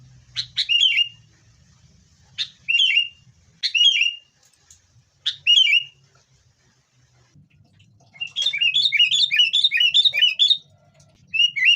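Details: Sooty-headed bulbul fighting lure to get caged birds singing: separate sharp liquid chirps every second or so, then a dense rapid run of bubbling whistled notes near the end over a faint low murmur.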